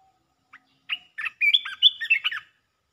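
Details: Caged red-whiskered bulbul singing rapid 'opening the flower' (perd dok) song in Thailand: a short run of clear, warbled whistled phrases, bubbling and rising and falling, delivered quickly over about two seconds against a quiet background.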